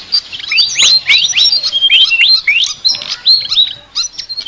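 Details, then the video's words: Flycatcher (sikatan) singing a very unique chattering song: quick high chirps and upswept whistles at roughly three per second, varied and clear over quiet background. "BURUNG SIKATAN NGOCEH TER UNIKK"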